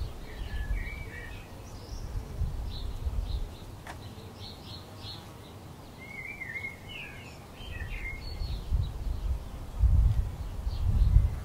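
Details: A European robin feeding on a branch, 26 February 2020, sings faint, thin warbling phrases in short bursts, sliding up and down, over a steady low rumble of wind.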